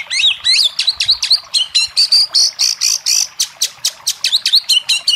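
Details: Oriental magpie-robin singing loudly to prompt a reluctant caged bird: fast, high, ringing whistled notes in a steady rhythm, with a sustained buzzy trill in the middle and crisp chip notes throughout.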